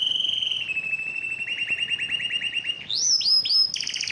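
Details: Yellow canary in song, holding a smooth whistled tone that breaks into quick pulsed rolls, followed by rising sweeps and a sharp high trill.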